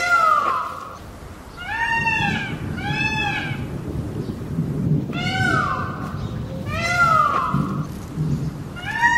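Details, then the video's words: Repeated loud peacock screams in pairs, each a harmonic cry that swoops up then down, some starting with a falling glide, over a rumbling low background. "o belo pavão e seu lindo canto"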